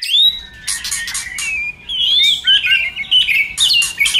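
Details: Shama song used to get a shama singing: sweeping whistles and harsh scratchy bursts alternate with clear, wavering whistled phrases in a continuous stream.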